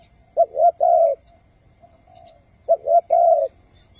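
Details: Spotted dove used as a decoy to lure wild doves into traps, in the hau-thuc-gu calling style: two clear three-part coos, two short notes then a long low hoot, about two seconds apart, over a quiet background.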